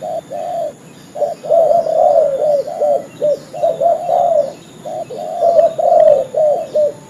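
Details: Spotted dove calling, used as a lure for trapping: low, rounded coos delivered in uneven groups of three to five, with short gaps between groups. Faint bird chirps and a constant high hum continue behind them.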